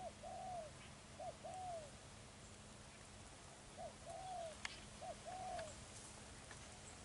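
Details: Lure spotted dove cooing in the low earthy style used for trapping: paired coos, a brief note then a longer falling one, repeated about four times at even intervals over constant hiss and a few clicks.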